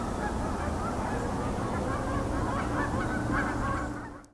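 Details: Canada geese at Hockanum Reservoir, East Hartford, Connecticut, on 18 October 2024 honk in a dense, overlapping chorus, many birds calling at once with nasal, rapid honks over a steady low rumble.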